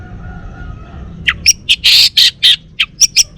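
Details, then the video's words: A male Bali orange-headed thrush (Geokichla citrina) sings after a quiet second: a fast run of harsh, scratchy bursts mixed with a few thin high whistles, about three notes a second. "Kicau Burung ANIS MERAH"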